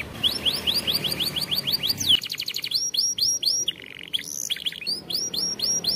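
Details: Canary singing as a champion-style tutor for training young canaries: rapid rolling trills of rising high notes, switching to buzzier fast rolls and a clear whistled phrase, then back to repeated rising notes.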